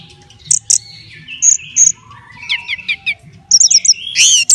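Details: Contest orange-headed thrush in a cage at a bird gathering, delivering scattered clear high whistles, a run of descending slurred notes, then a quick series of sharp chirps ending in a loud rising sweep; soft background rumble.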